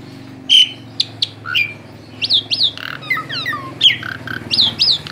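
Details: A tame Asian pied starling sings a varied jumble of loud whistles, squawks and chirps, mostly high-pitched, with quick rising and falling notes over low indoor hum.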